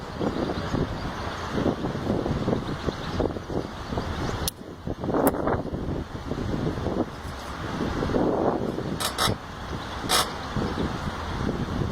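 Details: Steady traffic rumble with passing vehicles and a few brief clicks, with no clear animal voice.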